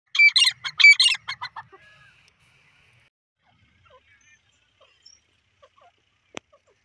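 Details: Grey francolin, locally called teetar, calling: a loud burst of harsh, repeated rising notes in the first two seconds, then near silence with a faint click.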